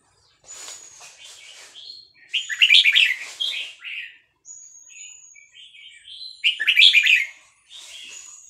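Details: Caged Vietnamese red-whiskered bulbul, excited, singing along to a played recording of newly hatched chicks in a fast-linked song style: two loud bursts of rich, bubbling warbled notes, with thin high whistles and softer chattering between them.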